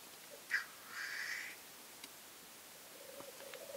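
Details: Black grouse seen from a weekend hide: a sharp, harsh hissing burst, then a longer rasping hiss, quiet, and finally low bubbling murmurs rising again at the end.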